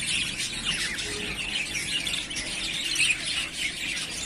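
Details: Chattering yellowface spangle budgies, three breeding pairs ready to breed, produce a continuous mix of squawky chirps and quick warbled twitters, with a brief louder squeak about three seconds in.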